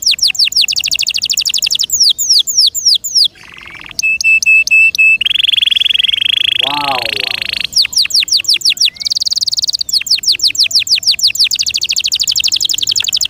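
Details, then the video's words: Loud canary song from a kept bird: falling whistle series, a long steady held tone, a harsh buzzy stretch, then renewed rapid trills of downslurred notes, with a brief human voice in the middle. "PLEASE LISTEN AND ASSESS FOR YOURSELF THE BEST CANARI BIRD"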